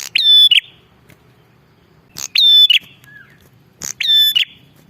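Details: Bar-winged prinia calling vigorously, a recording meant to lure wild birds: three loud, harsh, buzzy bursts, each opened by a sharp click, spaced nearly two seconds apart, with a faint slurred note between.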